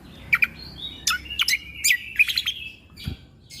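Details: Tutor song of a greater green leafbird for young shamas, in the shot-like 'tembakan' style: sharp, downward-sweeping whistled notes in an uneven series, with short buzzy trills between them.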